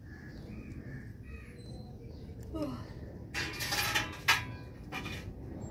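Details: Male zebra finch mating call: after a quiet start, a burst of harsh, broadband buzzy notes and a sharp squeaky chirp, then a shorter buzzy note, with a faint low hum throughout.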